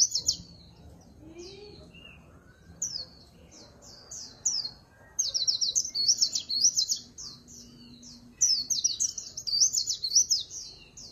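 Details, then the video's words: Scattered high chips from a Swinhoe's white-eye build into long, dense runs of fast, thin warbling typical of líu pha chòe song, with a faint low hum in the background. "Tiếng Chim Khuyên Líu Pha Chòe"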